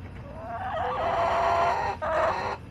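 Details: Backyard chickens on July 18, 2024: one long, strained, harmonic crow or drawn-out squawk lasting over two seconds, broken by a brief gap near the end, over faint low background noise.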